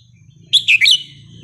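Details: Red-whiskered bulbul of a wild-type song line, counted-phrase style, delivering a short, clear phrase of three quick whistled notes, slurring downward and then up, with a faint low hum underneath.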